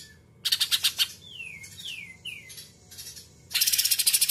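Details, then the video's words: Greater green leafbird song, muntah isian kapas tembak putar style, meant to make rival birds go wild: a burst of rapid harsh buzzy notes, three smooth downslurred whistles, then another dense rattling burst. "Cucak Ijo Muntah Isan Kapas Tembak Putar Sekali Jagoan Mu Pasti Ngamuk Ngamuk"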